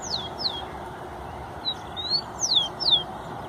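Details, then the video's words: Rufous-collared sparrow song used to warm up a bird: clear high whistled notes, two falling slurs, a pause, then a rising note and two more falling slurs, over steady low background noise. "FOGUEANDO TICO TICO"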